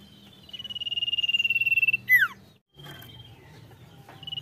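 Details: Sirtu singing in full voice: a steady pulsed trill held on one high pitch for about one and a half seconds, then a sharp downward-sweeping whistle, a short pause, and faint fragments of the trill over low background hum.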